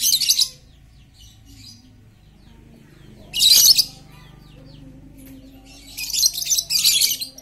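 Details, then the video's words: A super chatty lovebird, played to spur quiet lovebirds into song, gives harsh high chatter bursts at the start and middle, then a longer rapid grating run near the end. "Pancingan Lovebird super cerewet untuk memancing Lovebird diam jadi fikter"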